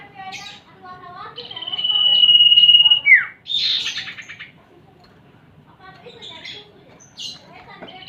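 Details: Lure recording mixing female and male common iora calls for young birds: a sustained pure whistle lasting about two seconds drops into a quick descending slur, followed by scattered chirps and brief twittering notes.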